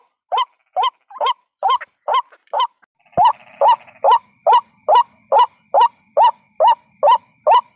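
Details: White-breasted waterhen (ruak-ruak) lure call played to attract waterhens: hoarse rising notes repeated about twice a second, briefly interrupted near the three-second mark by a click, then resuming steadily over a faint high electronic whine.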